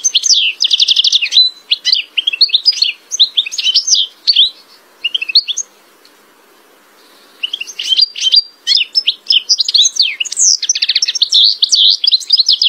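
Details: European goldfinch in lively full song: long stretches of fast liquid twitters and buzzy trills, a short pause near the middle, then an even denser torrent of chattering, rising and falling notes.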